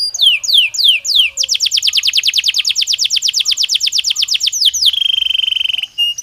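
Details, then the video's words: Belgian canary singing: a few slow falling whistles, then a long quick rattling trill, ending in a fast even buzzy roll on one steady pitch. "Som de 1 Hora com Canario Belga Cantando Naturalmente"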